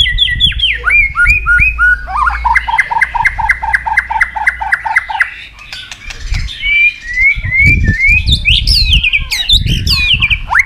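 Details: White-rumped shama (Copsychus malabaricus) sings a rich, varied song full of many wild-bird voices: rapid repeated whistled notes, then swooping phrases, with low background rumble and occasional clicks.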